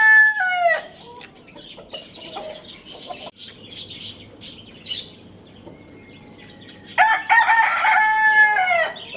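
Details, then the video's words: Lohmann Brown rooster crowing in the morning at Lalukhet bird market: the falling tail of one crow opens the recording, then small birds chatter, then a second loud, rich, harmonic crow lasts about two seconds. "Rooster Crowing Sound Effect"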